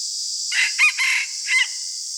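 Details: A single morning crow from a red junglefowl kept as a decoy, a rough four-part phrase lasting roughly a second, with a constant hissing background throughout.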